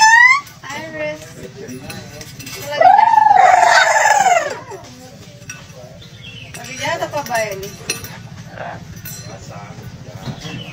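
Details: A pet black-capped lory that has been taught to sing and talk gives a run of speech-like and warbled phrases, with one long, loud, wavering middle phrase over a steady low background hum.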